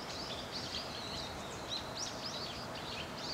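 Bramblings chatter in a flock, a steady stream of short, high chirps and twitters overlapping without pause, over a constant hiss of outdoor noise.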